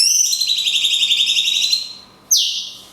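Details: Cungkok delivering a long 'kunti' shot for songbird training: an extended, rapidly pulsing, buzzy whistle of nearly two seconds, a brief pause, then one sharp falling whistle.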